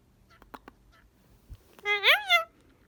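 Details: Male pet Indian ringneck parakeet playing indoors: a few faint ticks, then one loud nasal wavering call that rises and falls over half a second.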